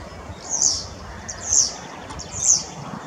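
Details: European starling (Sturnus vulgaris), recorded 23 May 2023, gives three high, thin, scratchy notes about a second apart, over a low rumble of background noise.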